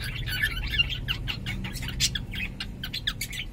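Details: Cockatiel kept as a pet, sex undetermined, giving a stream of soft scratchy chirps and a few clearer whistled notes against a low background rumble.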